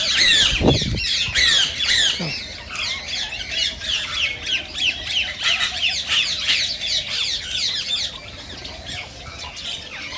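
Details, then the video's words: Rose-ringed parakeets calling to stimulate singing and mating: a dense, continuous run of shrill screeches, about three a second, with a few low thuds near the start and the chorus fading slightly toward the end. "صوت ببغاء الدرة الخضراء"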